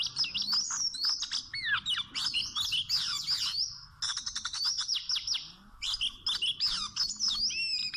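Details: Wild Oriental magpie-robin singing during trapping with small ropes: loud, varied whistled phrases of rising and falling sweeps mixed with rapid sharp chirps, a brief pause near four seconds, then more bright whistles continue to the end.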